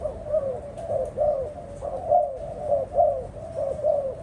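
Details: Spotted dove giving soft, low cooing phrases, a series of short hollow coo notes repeated roughly every half second to second with slight rises and falls, steady throughout, against quiet indoor background hiss.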